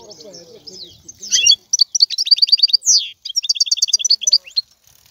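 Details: Lively European goldfinch song, with tinkling, high, rapidly repeated notes, a downward buzzy sweep and fast trilled series over a faint low murmur at the start.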